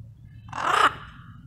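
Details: Wild blue-and-yellow macaws arriving as a flock and relaxing and bonding together; one harsh, raspy squawk lasting under half a second, broad and grating, over a low background rumble.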